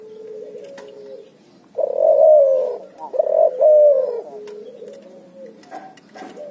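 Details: Hybrid barbary dove and spotted dove, known as cuhu, calling ngoar nguku. Softer level coos open and close the passage, with two loud, wavering coos in the middle and faint clicks at the end.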